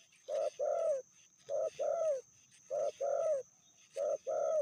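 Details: Female spotted dove with a medium voice, called fiercer than the male, repeating a steady two-part coo: a brief low note then a longer throaty coo ending in a downward slur, four times at a regular pace, faint background hiss.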